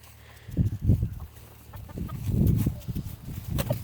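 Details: A free-range hen, loose for a while and about to be caught and moved into a new coop, gives low, short clucks in a few irregular bursts.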